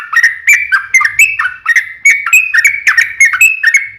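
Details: Yellow-vented bulbul singing actively as a lure for other bulbuls to answer: quick, evenly spaced whistled notes, some rising, some falling, delivered without pause.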